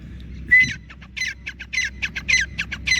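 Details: Young grey francolin (Dakhni teetar), a kept bird playing in early morning as the sun rises, answering a person's whistling: one clear human whistle, then a rapid run of harsh, clipped, pulsed notes repeated in quick bursts.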